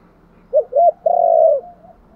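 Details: Spotted dove giving a calling coo, part of a full coo sequence: two short, low hooting notes followed by one long, steady, mellow coo that fades out, with a quiet background and no other clear sounds.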